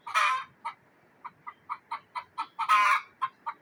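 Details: A frightened hen raising an alarm in a Kashmir village, Neelum Valley: opens with a loud harsh squawk, then a string of quick clucks building toward a second grating squawk, followed by a few more clucks.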